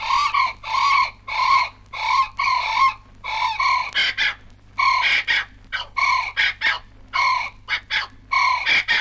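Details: Two brolgas calling in Australia on a 1968 vinyl wildlife recording: strong, nasal, trumpeting blasts, first in a steady series, then overlapping with higher, sharper notes as both birds call at once.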